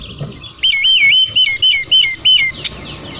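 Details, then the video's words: Whistled oriental magpie-robin song meant to draw replies from other magpie-robins. After a noisy start, a loud clear whistled phrase bends up and down and repeats five to six times in quick succession, ending with a sharp click. "kapan pun kacer lain pasti bunyi dengar siulan kacer ini buktikan langsung nyaut gacor"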